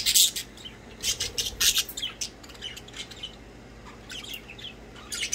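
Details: Playing budgies chirp in short loud bursts of scratchy, high squawks and warbles, clustered at the start, with quieter gaps and a final harsh note.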